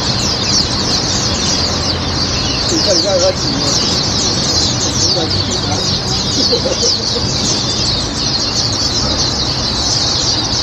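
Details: Many Swinhoe's white-eyes at a bird-walking park in Taiwan give a dense, unbroken chorus of high, thin twittering, over a steady background rumble and some voices.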